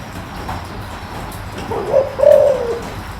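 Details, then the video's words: Spotted dove with a deep voice, for rousing a decoy: a soft note and then a lengthened low coo near the end of the stretch, over a faint hiss of background noise. "tiếng chim cu gáy kích bổi mau lên"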